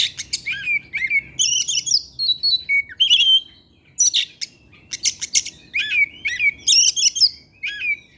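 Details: Oriental magpie-robin singing in the evening, used as a lure song for other magpie-robins and full of varied material: rich whistled phrases mixed with buzzy, scratchy notes and sharp chirps in quick bursts, with short pauses.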